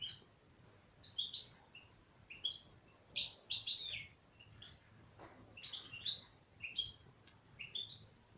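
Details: Female European goldfinch twittering in quick runs of bright, upslurred chirps with a brief lull midway, then resuming the tinkling phrases.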